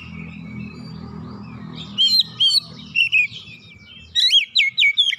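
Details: Captive kacer, the Oriental magpie-robin, bursting into 'ngoyak' song to show its 'isian' phrases after hearing another bird; low hum alone for two seconds, then a run of bright whistled, warbled notes, and a faster, looping series near the end.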